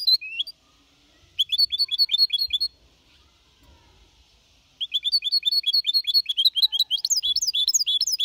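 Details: Young goldfinch mixto, four and a half months, singing clean Malaga-copy song in bursts. Short runs of rapidly repeated chirps are separated by pauses, with a longer twittering run at the end.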